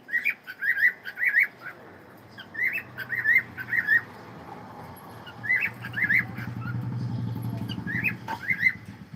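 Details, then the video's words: Cockatiel song of paired, slightly rising whistles repeated in short phrases, with a low humming rumble building in the background during the later part. "cute Cockatiel sound and singing"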